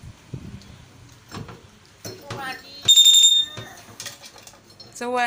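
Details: A talking pet common hill myna, one of four siblings, speaks in short, hoarse, voice-like phrases, with a pure high whistle in the middle and a wavering nasal call at the end.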